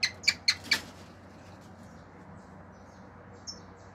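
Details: A pet male cockatiel singing natural songs and mimicking sounds (wolf-whistles, clicks) gives four quick, sharp clicking chirps within a second, then falls quiet apart from one faint high note; a low steady hum underneath.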